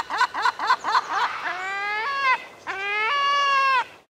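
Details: Herring gull, an ocean bird that calls loudly enough to be heard over the waves, gives a quick run of five or six laughing barks, then two long, drawn-out mewing wails that rise and hold steady.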